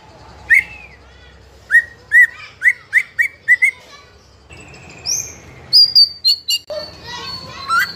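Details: Young spotted-plumage (trotol) White-rumped shama of fighter type singing nonstop to provoke other young shamas into singing: a series of slurred rising whistles repeated about every half second, then higher sharp whistles and varied warbling notes.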